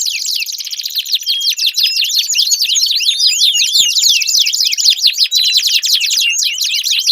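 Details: Canary song played to stimulate a silent canary into singing: a dense, continuous stream of rapid high trills and sweeping chirps, with downward slurred notes repeated at a fast pace.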